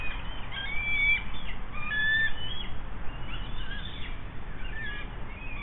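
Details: Nest-camera recording of bald eagles on the Monongahela River, West Mifflin, Pennsylvania, 8 June 2024, an adult sharing a delivered fish; a few clear thin whistled notes and scattered high chirps stand out above a low background rumble.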